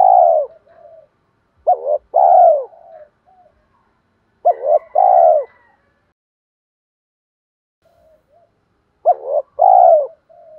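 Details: Lure call of a spotted dove meant to attract other doves, repeated three times: a quick double note, then a drawn-out, loud, downward-curving coo, with soft low murmurs between phrases and no other sounds.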